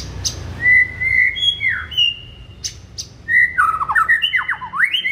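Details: Morning song of a white-rumped shama, played to rouse a kept bird: long drawn whistles, a few sharp clicks, then a fast sequence of descending and rising whistled notes.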